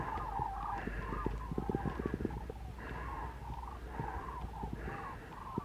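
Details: Flock of common cranes migrating north over Arroyo Culebro, Parque Natural del Sureste near Pinto and Getafe, Spain, on a 21 February afternoon, the last flock that day; distant rolling trumpeting calls overlap and repeat steadily, with low rumble and soft tapping noises.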